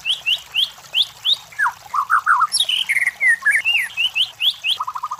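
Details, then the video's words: White-rumped shama competition-lure song: a run of short rising whistles, a falling note, warbled low phrases, a sudden high sweeping note, varied whistles, then a quick low stuttering trill at the end. "MASTERAN SUARA MURAI BATU // PANCINGAN SUARA BURUNG JUARA"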